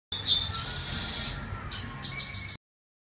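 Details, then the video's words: Chestnut-capped blackbirds in a singing dispute: high, sharp chirps and trills, with a bright burst of notes near the end and a person speaking Portuguese afterward. "Disputa canto entre Garibaldis"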